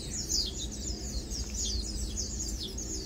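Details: Lowland white-eyes, locally called Matang Dulong, chilling, feeding and preening; thin, high chirps and twitters overlap in a busy chatter over a steady low rumble of background noise.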